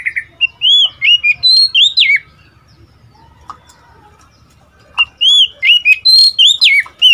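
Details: Young Oriental magpie-robin, a seven-month-old decoy bird fresh from its first moult into adult plumage, trading song with wild birds on 12 March 2021: loud, clear whistled phrases of rising and falling notes in quick bursts, a pause, then another burst.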